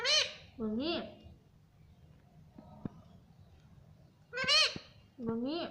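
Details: Talking parrot saying mummy: a quick two-syllable word, a pitch rise then dip, at the start, a pause with soft clicks, then the same two-syllable phrase repeated near the end.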